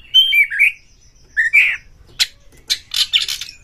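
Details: Oriental magpie-robin roused to fight a rival: a few wobbling, slurred whistles, then a quiet pause. Harsh, scratchy broadband bursts follow in quick succession, mixed with short buzzy notes.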